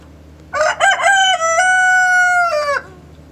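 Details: Full cock-a-doodle-doo from a rooster in the morning: two or three clipped stuttering syllables lead into a strong, rich, drawn-out level note lasting over a second, closing with a brief drop; low background hum.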